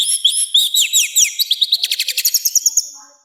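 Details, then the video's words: Orange-headed thrush in loud, harsh training song: high slurred whistles that turn into a rapid, evenly repeated run of sharp chirps, about five per second, fading at the end. "ANIS MERAH GACOR NGEPLONG, SUARA KASAR KERAS ++ COCOK UNTUK MASTERAN DAN PANCINGAN BURUNG KITA"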